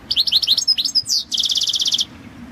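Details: Balkan goldfinch, Carduelis carduelis balcanica, in a 2022 world championship song competition entry: a fast run of high, bright twittering notes, then a rapid even trill of clipped chirps lasting about three quarters of a second.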